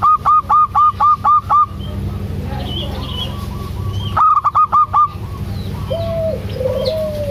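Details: Local zebra dove giving a fast run of about seven crisp, clipped notes, a pause, a shorter run, then faint level coos near the end, over a steady low hum.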